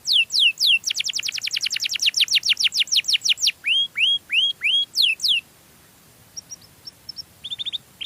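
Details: Canary singing sweetly, used as a lure for other canaries: a fast trill of steep down-slurred notes, then slower upward-curving whistles, a few quick sweeps, and a quieter ending of short, scattered high chips.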